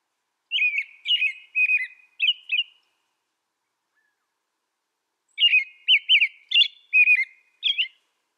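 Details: American robin singing two bursts of short, warbled whistled phrases, about five phrases in each, separated by a few seconds of silence; clean background with no other sounds.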